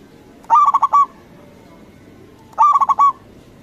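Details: Loud-voiced local Indonesian zebra dove, the recording meant to goad rival doves into calling back. Two matching bursts two seconds apart, each a fast pulsing series of five or six resonant coos with a held closing note.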